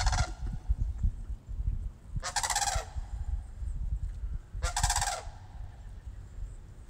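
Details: Sandhill cranes, a pair come to visit at Moosewood, trade harsh rattling bugles: a call cut off at the start, then two full bursts about two and a half seconds apart, with low rumbling noise beneath.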